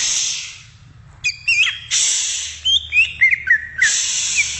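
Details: Wild greater green leafbird giving a short burst of sharp whistled and slurred notes, set between loud hissing rushes of broadband noise.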